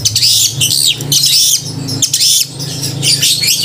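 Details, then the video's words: Long-tailed shrike delivering a loud, ringing song said to arouse emotion and mating urge in other shrikes: harsh, buzzy high bursts in phrases about a second long, separated by short pauses, with a low hum beneath. "Cendet gacor suara kristal dan keras cocok untuk memancing emosi dan birahi cendet"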